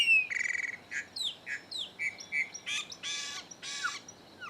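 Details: , three birds visiting a farm in the Caatinga of the Bahia sertão, Brazil. Varied song of clear whistles, steady harmonic notes, sharp downslurred chirps and two loud buzzy rasping bursts near the end, all in quick succession.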